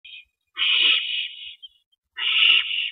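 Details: Owl at its nest on April 19, 2012 at 8:15 PM, as a rabbit is delivered to its mate. Two long, harsh, hissing screeches of about a second each, separated by a short gap.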